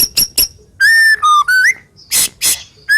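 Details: White-rumped shama singing harsh, sharp song to coax other shamas into voice: clear level and rising whistles, a slurred upward note, and brief noisy rasps between them.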